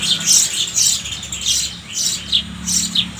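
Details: Sparrow giving rapid, sharp high chirps and squeaky notes in quick succession over a low steady hum.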